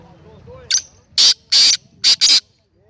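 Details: Recorded 19 April 2020, a black francolin (kala teetar) calls with five harsh, buzzy, forceful notes: a short lead-in, two broad rasps and a quick closing double. Faint voices precede it.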